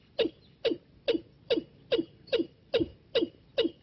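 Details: Watercock call used as a trapping decoy: evenly spaced deep, falling knock notes, roughly two and a half each second, each starting with a brief click then sliding lower, in a clean recording.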